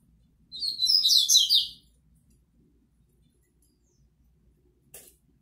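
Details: Double-collared seedeater singing while facing a female: one rapid burst of high, tumbling warbled notes lasting over a second, then a faint click; otherwise quiet apart from a low hum.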